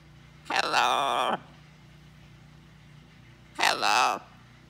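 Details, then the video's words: Blue-and-gold macaw kept as a pet on a small farm, talking with its owner indoors: two loud, raspy, drawn-out phrases, each nearly a second long, separated by a short pause. "Talking With My Friend The Macaw Parrot"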